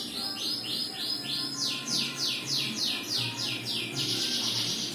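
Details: Black-winged myna song: a steady series of about a dozen bright, sweeping downslurred notes, roughly three per second, then a burst of rougher chatter at the end, with low background hum.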